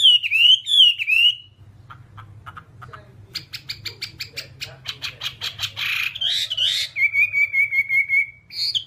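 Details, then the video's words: Loud looping whistles from a Hwamei, then a stretch of quieter clicks and harsh buzzy bursts, ending with level whistled notes repeated in a steady series; low hum throughout. "Masteran Whambie nonstop 1 jam"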